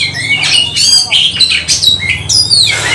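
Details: Brief spell of fighting magpie-robin song: sharp rising whistles, raspy squawks and quick chirps in tight succession, with a low humming background.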